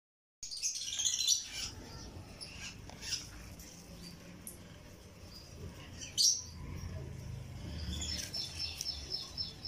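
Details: Baby lovebird hatchlings, Green Euwing Opaline and Green Pale Fallow, give high, thin chirps and squeaks in scattered bursts, with short sharp calls near the start and middle and a run of quick chirps toward the end.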